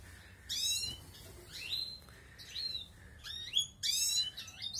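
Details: Balkan European goldfinch kept for outdoor breeding as the 2020 season begins; lively high twittering phrases with rich harmonics and downward sweeps, repeated several times in quick succession.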